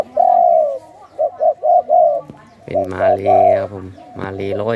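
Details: Caged spotted dove of the Thai 'sai khu ang' song style, a long falling coo followed by four quick even coos. Then a humming engine-like drone and a man's voice overlap further cooing.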